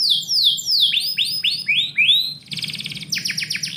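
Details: Canary morning song recorded indoors: a series of about eight sweeping whistled slurs, each curving down, followed by a dense high buzzing rattle.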